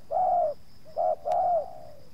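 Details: Decoy spotted dove challenging wild doves, with two wild birds approaching. One loud drawn-out coo, then a short and a long note forming a pair, mellow and slightly downslurred, with a brief tap.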